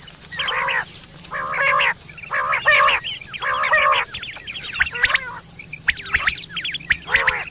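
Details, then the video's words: Quail (batair) recorded in September 2023, a call given for mating and used for hunting: harsh, buzzy harmonic bursts about half a second long, repeated roughly once a second, then thinner chirping notes from other birds. "Quail fresh sound sep 2023/ batair ki awaz"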